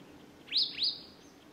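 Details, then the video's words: A White-browed Robin-chat (Cossypha heuglini heuglini) in Gisenyi, Rwanda, in March 2013 gives two quick, rising whistled notes about a quarter-second apart, sweeping from mid to high pitch, over a quiet background. "Cossyphe de Heuglin (Cossypha h. heuglini) White-browed Robin-chat"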